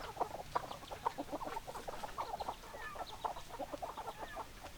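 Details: Hens clucking at a distance: many soft, overlapping low clucks and chattering notes, steady and busy, under a hiss of background noise.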